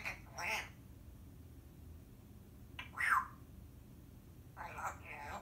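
A Timneh African grey parrot mimics speech in three short, breathy bursts a couple of seconds apart, one with a falling whistled tone, in a quiet room.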